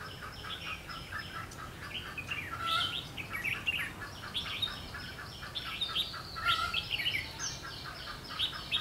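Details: Red-whiskered bulbuls heard while being trapped on 21 March 2016, giving dense runs of lively chirping, warbling phrases that overlap almost continuously, with faint background noise.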